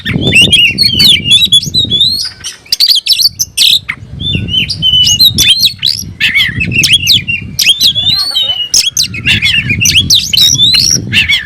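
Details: Oriental magpie-robin, a kept songbird, singing loudly as if seeking a rival: a rapid, varied stream of whistled slurs, sharp chips and harsh notes, with short pauses and low rumbling noise underneath.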